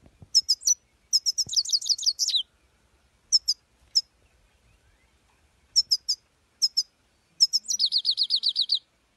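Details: European goldfinch singing: bright twittering phrases high in pitch, short clusters of chirps broken by pauses, then a fast run of repeated sliding notes at the end.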